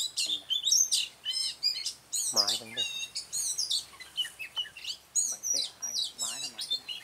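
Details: Song of Red-whiskered Bulbul at a trapping site, 20 June 2018: nearly nonstop bright chirps and short whistled phrases repeating rapidly, with one lower harsh, buzzy call early on.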